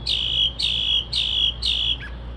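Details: Night bird, 2:30-3:00am, reported to imitate car alarms and sparrows; four rapid loud high whistled notes in a row, each dropping then levelling, like an alarm pattern, ending with a soft lower note.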